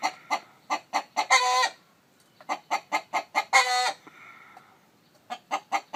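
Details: Rapid short clucks from a chicken, with a hen sitting on eggs, each run ending in a loud, strained, harmonic squawk; two such bursts, then a quiet murmur and more clucks.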